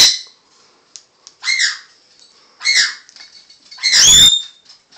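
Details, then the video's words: A Congo African grey parrot dances on cue while the owner whistles to get him going. He gives four raspy, word-like bursts about a second apart, ending his routine by singing his own name with a bright rising whistle. "African grey dances and sings his name"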